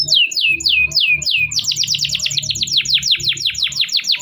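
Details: Canary in long continuous song meant to coax silent birds back into singing: slow drooping whistled notes give way to a quicker string of bright descending sweeps, about four per second, over a soft low hum.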